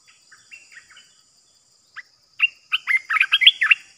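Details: Cream-vented bulbul decoy bird, its calls used to lure wild birds for trapping: a few soft chirps, then a loud run of quick, bubbly, warbled notes that rise and fall, with a faint steady hiss behind.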